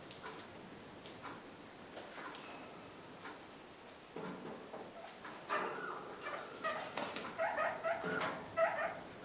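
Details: Kakariki kept as pets, feeding on freshly pruned currant and blackberry branches in spring; twig rustling and clicks, then a quick run of short, harmonic chattering notes in the final seconds.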